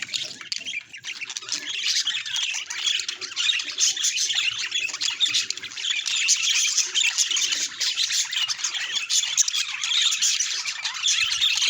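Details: Several pet budgerigars chattering together, a dense continuous mix of high squeaky chirps, warbles and squawks with no pauses, busy and overlapping throughout.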